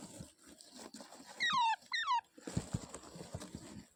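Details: Rose-ringed parakeet, a ringneck parrot, giving two loud, clear calls in quick succession, each sliding steeply downward with a bright harmonic overtone. Soft clattering, rustling and knocking sounds continue before and after the calls.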